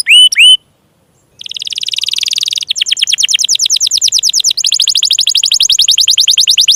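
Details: Canary song for coaxing silent or young canaries to sing; brief looping whistles, a pause, then extended very fast buzzy trills that speed into rolling rattles of high-pitched notes.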